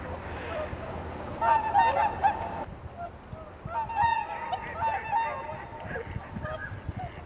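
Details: Swans calling on Kotoku-numa pond, Japan, at dawn during the blue hour: bursts of overlapping, muffled honks from several birds, partly blurred by wind buffeting on a camera's built-in microphone.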